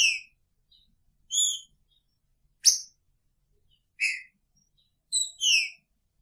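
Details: Green-winged saltator in a cage shared with its female, giving clear, high whistled notes at irregular intervals, some slurring downward, mixed with a sharp percussive tick.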